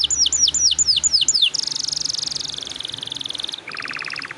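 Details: Atlantic canary (kenari) singing a long rolling song: a run of downward-sweeping whistled notes, then a fast buzzy trill held for two seconds, then a lower rapid rattle with bright notes.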